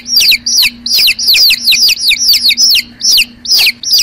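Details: Chicks peeping: loud, high, downslurred cheeps repeated about twice a second, some doubled, with a steady low hum underneath.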